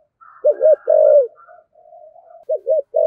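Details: A 'giọng thổ' spotted dove, cooing to stimulate wild-caught doves, gives a hooked double note and a long low coo, then quieter humming tones and a second phrase starting; faint higher notes overhead.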